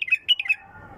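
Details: Short Bulbul phrase, pure-throated: four crisp, bright notes delivered in about half a second, then a low hum.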